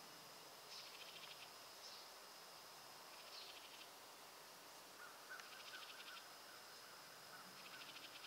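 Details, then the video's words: House wren calling at Roxbury Park, Meggett, South Carolina: short, harsh, buzzy chattering bursts about every two seconds, over a steady high insect drone. "House Wren calling"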